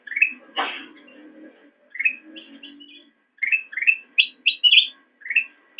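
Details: Singing black-crested bulbul recorded for training caged songbirds; short rising whistled phrases separated by pauses, with a louder broadband note early and a soft low murmur in the background, ending in quick bright notes.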